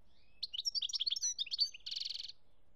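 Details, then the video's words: European goldfinch song from Algeria, 2017: a quick run of varied liquid twitters and slurred high notes, ending in a fast, evenly repeated trill of bright clicks. The background is quiet. "chont chardonneret algerie 2017"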